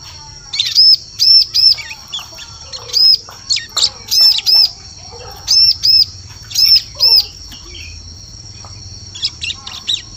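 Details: Ciblek, or bar-winged prinia, lure sound for attracting birds in the forest: clusters of two or three sharp, high, arching notes repeated through the recording, with a constant shrill tone behind them.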